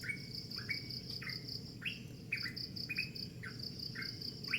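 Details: Early-morning bird repeating some nine brisk upward-sweeping chirps at a fairly even pace, each with a short flat ending, while crickets pulse steadily in the background.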